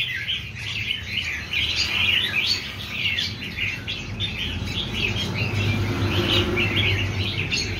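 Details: Several newly caught red-whiskered bulbuls chatter at once, with overlapping bright, bubbly warbled phrases of quick chirps, over a steady low hum.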